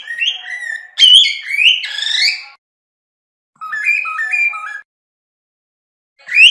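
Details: Loud rising and sliding whistles from a cockatiel, a pause, a short sequence of stepped two-tone whistles, then another bright upswept whistle.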